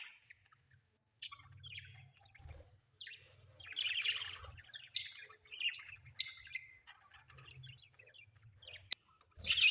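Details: Pet budgerigars chatter at home with scratchy warbles, sharp high chirps and squawky notes coming in irregular bursts, plus a low background hum and a single click.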